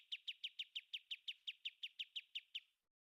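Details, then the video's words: Clear song of a caged kapas tembak bulbul, a model for other birds to copy: a dozen crisp descending chirps spaced evenly, about six per second, then silence. "kapas tembak#suara jernih#mudah ditiru oleh burung anda"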